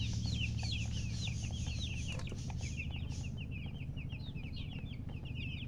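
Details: Just-born chicks peeping loudly, high down-slurred chirps in fast succession, overlapping into a busy chorus above a low rumbling background.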